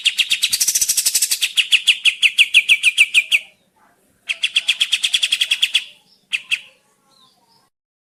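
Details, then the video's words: Sooty-headed bulbul song used as a lure to make birds respond: long bouts of quick, buzzy chips, fast at first then evenly paced, broken by short silences and a few isolated notes. "Burung Kapas Tembak mana yang tidak nyaut dan gacor dengan pancingan ini"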